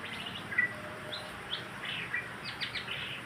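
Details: White-rumped shama song for stimulating birds to sing: sharp whistles, brief rising notes and a closing burst of quick chirped phrases, over a hissing background.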